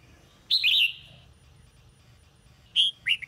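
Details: Red-whiskered bulbul of the Sông Kôn style in morning song practice: a loud, buzzy whistled note, a quiet stretch, then a short series of bright chirps.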